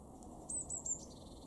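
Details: Eurasian blue tit in a garden in Weener, East Frisia, far northwest Germany, in February 2023, giving three very high, thin notes in quick succession, then a softer, lower buzzy trill, over faint background hiss.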